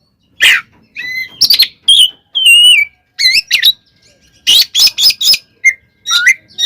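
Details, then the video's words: Oriental magpie-robin (kacer) in fighting song used to provoke other magpie-robins: loud whistled notes that slide and bend, mixed with harsh buzzy bursts, delivered in short separated phrases. "SUARA BURUNG kacer gacor TARUNG KONSLET nembak ini AMPUH buat PANCINGAN KACER agar EMOSI SEKETIKA"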